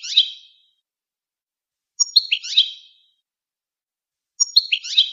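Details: Goldfinch song: short, high, squeaky twittered phrases, each a quick tumble of notes, repeated roughly every two and a half seconds with silence between.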